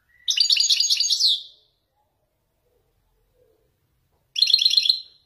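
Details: European goldfinch of Morocco's Widani type singing Marrakech nzoulat phrases: two bright, rapid chattering bursts of high tinkling notes, about four seconds apart, with silence between.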